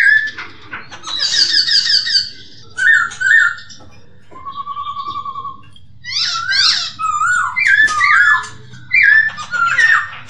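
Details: Masked laughingthrush song, a recording for training caged birds: loud whistled and slurred notes with rich overtones, chattering bursts, a fast even trill in the middle, then rising and falling phrases, with faint low background hum.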